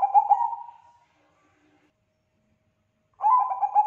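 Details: Loud-voiced Bangkok-type zebra dove in song: a fading phrase of pulsed coos, a long silence, then a new phrase of quick bubbling notes beginning again.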